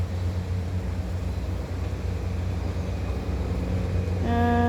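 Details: Steady vehicle engine rumble fills the recording, with a brief tonal hum near the end and no animal calls.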